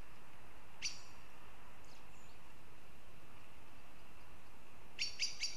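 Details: Northern goshawks in Riga, Latvia: a single harsh call, then a quick run of three sharp, high kek notes near the end, over a steady low rumble.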